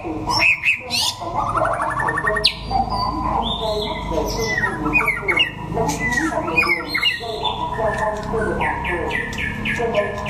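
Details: White-rumped shama singing in a contest in Đắk Lắk, Vietnam: a rich jumble of clear whistles, rising sweeps and sharp notes, ending in a fast run of repeated high notes, over a busy background of other birds and low chatter.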